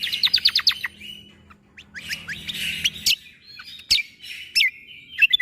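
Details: For young shamas to copy, a greater green leafbird's 'tembakan' song: a quick series of rising chirps, jumbled scratchy twitters, then piercing whistles and a long thin held note, low hum early on.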